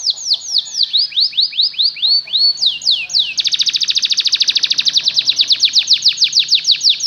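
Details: Song of a Belgian canary, played so other canaries learn to sing: a string of about a dozen clear downward-sweeping whistles followed by a very rapid, even trill lasting several seconds.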